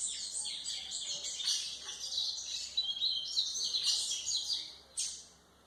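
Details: Song of a white-throated seedeater, used to teach young birds: dense, bright twittering and buzzy warbles flowing steadily, then fading near the end after a last sharp note.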